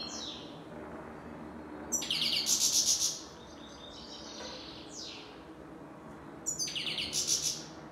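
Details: European goldfinch of the grey-headed or black-headed form calling chir-chir: a strong rattling, buzzy twitter burst, soft thin slurred notes in between, then another buzzy burst about four and a half seconds later.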